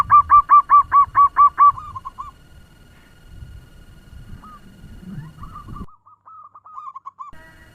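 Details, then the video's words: Zebra dove, a local lure bird with a fast song meant to excite other doves, opens with seven quick cooing notes, then fainter, looser notes trail off over low rumbling background noise. "Perkutut lokal pemikat suara ngebut‼️Bikin perkutut lain ribut"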